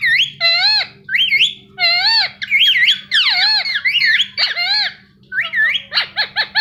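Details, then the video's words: Indian ringneck parakeet, a pet bird, chirping: loud harmonic whistles that rise and fall in wavy, sliding notes, then a burst of four short, sharp descending chirps at the end; faint steady low hum underneath. "Parrot Chirping Sound"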